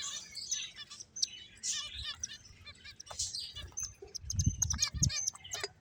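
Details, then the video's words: Playing finches trade short, high chirps and bright tweets, some rapidly repeated, over faint low rumbling and knocks. "Cute Birds Chirping Sounds | Beautiful Finches Playing"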